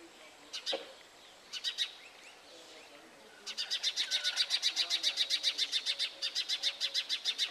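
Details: A Brahminy myna, recorded while attacking house sparrows at their nest, gives a few scattered harsh notes, then a fast, steady run of scratchy chattering notes, about four per second, with a faint whistle in the background; Brahminy starling.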